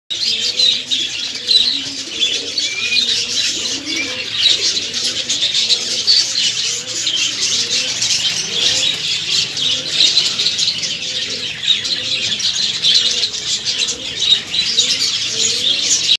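Budgerigars keep up a dense, high chattering and warbling, with soft lower cooing underneath.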